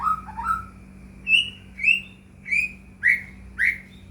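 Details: White-rumped shama lure song: a few low whistles, then five loud, clear upward-swooping whistles spaced roughly every 0.6 seconds, over a steady low hum.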